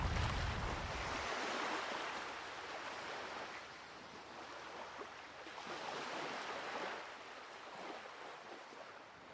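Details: Rushing water and wind-like roar that swells and fades; no animal calls.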